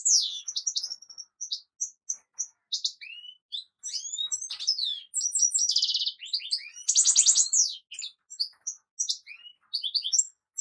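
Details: A European goldfinch sings a long, lively twittering song with short gaps, mixing thin high whistles, falling slurred notes and dense buzzy trills, the loudest trill near the middle.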